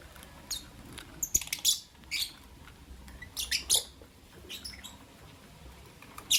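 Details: Pet lovebirds, albino and Euwing green opaline, in the morning: scattered high, harsh chirps and short squawks in uneven clusters, some louder and closer than others, over a quiet low background hum.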